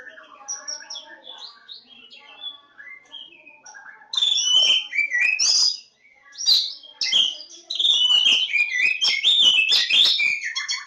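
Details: Javan Oriental magpie-robin (kacer Jawa) singing: quiet, varied whistled notes at first, then from about four seconds a loud, rich run of sweet rising and falling whistles mixed with sharp chattering notes, with brief pauses.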